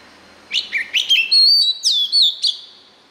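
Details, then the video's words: White-rumped shama song used to train young birds and draw out their voices: loud whistled phrases, sweeping notes and rising slurs followed by long clear whistles and a final bright note, all high-pitched over a quiet background. "Luyện Giọng chòe than, ép giọng chòe than, cho chim non học giọng"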